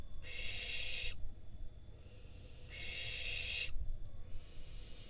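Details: Barn owl fledgling, wild, in Israel, taking a delivered rodent from its parents. It makes drawn-out raspy hisses, each about a second long, three in quick succession with a fourth starting, over a low background rumble.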